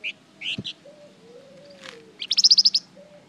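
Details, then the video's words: Golden-bellied gerygone in lively lure song meant to make other birds answer: a few high chirps, then a fast series of about eight bright, evenly spaced notes, with a faint low hum beneath. "Suara pancingan burung Flamboyan gacor terbaik , pasti nyaut di masteri Flamboyan GACOR ini"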